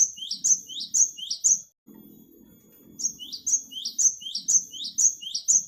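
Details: Great tit calls for attracting wild birds: rapid, evenly spaced high chirps with a downward sweep, about two per second, pausing briefly, over a low droning hum.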